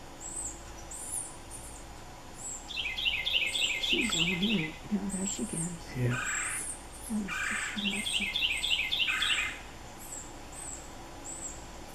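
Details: Red-bellied woodpecker fledglings begging while an adult male feeds them in woods. Two bursts of rapid, buzzy, stuttering notes, each lasting about one and a half seconds. A person talks over the middle, with thin high chirps from other birds throughout.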